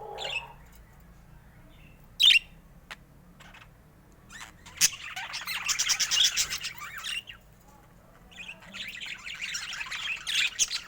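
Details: Pet budgerigars mostly quiet with a sharp click early, then two spells of buzzy, high warbling chatter, each lasting about two seconds.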